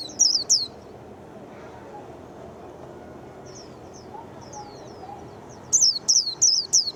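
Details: Japanese white-eye, called quick to sing, gives two loud, high downslurred notes. Soft, faint twitters follow before a closing burst of four bright, descending chirps.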